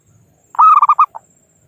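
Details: A local zebra dove used as a trapping lure, calling out rivals: one loud phrase of a drawn coo breaking into four quick pulsing notes and a short final note.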